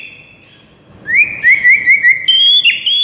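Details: White-rumped shama starts softly, then bursts into a quick series of rising whistled notes, about five in a row, ending with a loud sustained high whistle.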